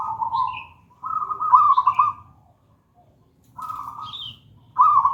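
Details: Local zebra dove of the gedang rojo singing type, used to lure and tutor other doves: steady vibrating coos in separate bursts with a silent gap, small high chirps from another bird in between.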